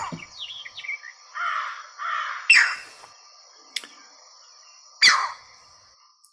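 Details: Green Heron giving two sharp, loud, piercing squawks about two and a half seconds apart, with a crow cawing and songbirds singing in the background.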